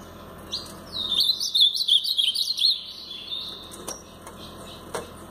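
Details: Blue-black grosbeak in brown plumage sings one clear Paraná-style phrase, a fast run of warbled, up-and-down whistled notes lasting about two seconds, with faint clicks afterward.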